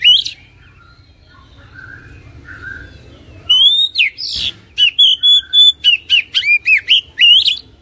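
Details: Oriental magpie-robin lure song meant to make a lazy kacer sing quickly: a few soft notes at first, then from mid-clip a fast, loud series of bright whistled and slurred notes, about four per second.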